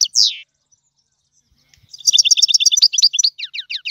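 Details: Goldfinch song, tiwawati style: one loud downslurred note, a pause, then a fast rhythmic run of repeated high twittering notes, about three per second at first then quickening, ending in descending slurred calls.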